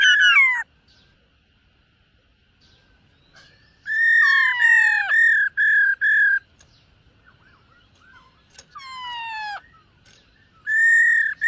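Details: Silver-eared laughingthrush training its voice in the morning, giving loud downslurred whistles and clusters of rich harmonic notes separated by quiet pauses, with faint soft notes in the gaps.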